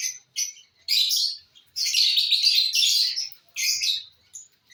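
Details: Lovebirds eating corn on the cob, making bursts of piercing, buzzy chirps and extended chattering phrases with brief silences.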